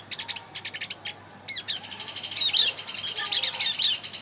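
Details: Javan grey-throated white-eye used to lure wild birds: clipped high chirps in quick groups, then a denser, louder twittering run with sharp whistled accents.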